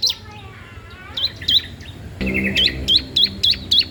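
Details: Bar-winged prinia song meant for training or luring other birds: a few scattered high chirps, then a steady run of hooked, dipping whistled notes, each about a third of a second apart.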